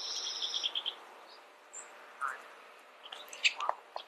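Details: Bullock's oriole song: a quick run of bright, clipped high notes at the start, then scattered single chirps and a short burst of sharp notes near the end over a quiet background.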